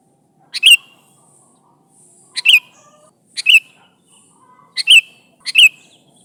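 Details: Calling to its companions, a Sooty-headed bulbul gives five short two-note chirps, a clipped pip then a liquid slurred note, spaced about one second apart in quiet surroundings.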